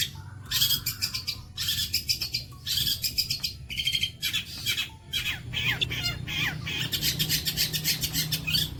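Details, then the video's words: Long-tailed shrike singing a 'bolo panjang' style master song for tutoring other birds: dense bursts of harsh, buzzy, broadband notes alternating with quick high whistled slurs, nearly continuous, over a steady low hum. "MATERI ISTIMEWA BOLO PANJANG"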